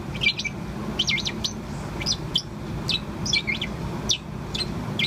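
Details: Young Bourke's parrot about four months old, kept as a pet, chirping continuously: short high sweeping chirps and twittering notes in loose bursts every half second or so, over a steady low hum in the background.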